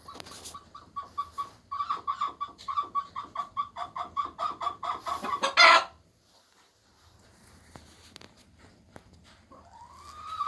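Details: Laying hen's egg song: a steady series of loud, nasal clucks roughly three per second building to a burst of louder squawks, then quiet with a rising call starting at the end.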